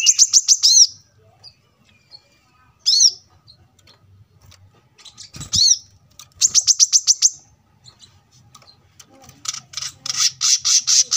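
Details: Brown-throated Sunbird in steady song near a road, recorded to tutor cage birds: short bursts of rapid, high chirps alternating with single swooping calls, ending in a rough, buzzy run of fast notes.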